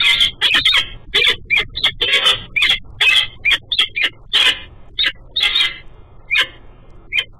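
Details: Female peregrine falcon at her nest in the morning, after a huge meal, chatting with her mate as he flies by, captured by a nest camera: a rapid series of harsh, raspy notes, some clipped, some drawn out, almost without pause.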